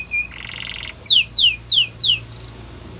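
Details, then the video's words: Russian canary singing in flute style: a brief whistle and a buzzy rattling trill, then four loud descending whistled sweeps and a short buzzy burst, over faint low background hum. "Russian Canary Flute Singing"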